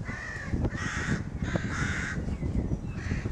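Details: Crows calling excitedly around their nest at a rookery, May 2018: four rough caws in under four seconds, with a sharp tap and continuous low rumble beneath.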